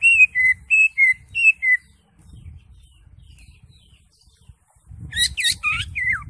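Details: Greater green leafbird, ngekek song: five clear whistled notes alternating higher and lower, a quiet gap with faint low rumbling, then a burst of buzzy, sweeping notes over low background noise.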